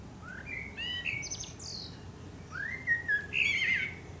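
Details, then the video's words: At sunset in Akersloot, Netherlands, on 30 March 2018, a Eurasian blackbird (Turdus merula) sings rich, rising fluted notes mixed with thin high twitters in two close phrases. "Singing Eurasian Blackbird"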